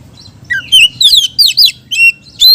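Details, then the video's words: Oriental magpie-robin singing to lure other magpie-robins, with slurred whistles, buzzy sweeping phrases and a long level whistle, separated by short pauses. "BURUNG KACER GACOR‼️ isian beset || cocok untuk pancingan kacer lain‼️"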